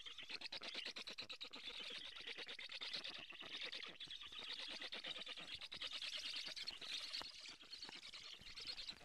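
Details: Black stork chicks begging for food at a nest in Karula, Estonia, on 2 July, late morning, while a strange stork flies around; dense, rapid, rasping chatter runs continuously throughout.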